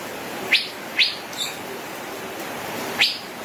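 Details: Male cucak biru (Asian fairy-bluebird) in gacor ropel song, giving three sharp rising notes: two close together, a soft faint note, then a pause before the third, over background hiss.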